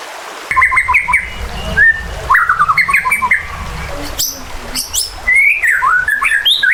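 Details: White-rumped shama singing emotionally to rouse a bird's fighting spirit. Quick slurred whistles and stuttering note clusters, interspersed with sharp high chips, alongside low outdoor rumble.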